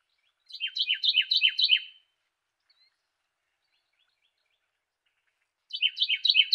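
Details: Carolina wren singing two bursts of a rapid rolling song, each about five quick repeated downslurred phrases over roughly a second and a half, separated by a long clean pause; no other sounds.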